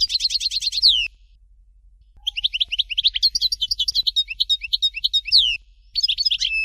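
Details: European goldfinch performing Dalya song, Fort de L'eau style. Rapid repeated chirps end in a falling whistle, then after a pause comes a long lively stream of varied twittering and sliding notes, closing with a brief extra phrase.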